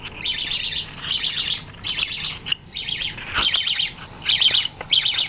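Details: Two young American budgies chatter while eating, indoors in low light: bursts of scratchy, rapid chirping, repeated roughly every second with brief pauses.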